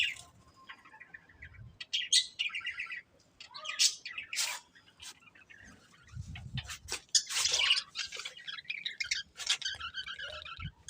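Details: Budgerigar breeding pair in busy, continuous chatter: rapid high twittering, sharp clicks and squeaks, and rolling warbled phrases overlapping almost without pause, with faint low background noise.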